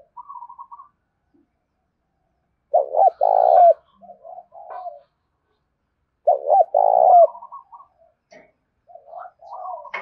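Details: Loud urging coos from a tame spotted dove decoy in rural Đồng Nai, used to draw in wild birds: two strong phrases of short hoots and a long coo, separated by quieter low murmured notes.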